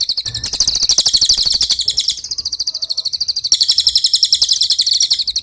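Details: Cililin singing in a training recording for songbirds: fast, thin, high-pitched pulsed trills in linked phrases, each wavering up and down, with only tiny gaps between them.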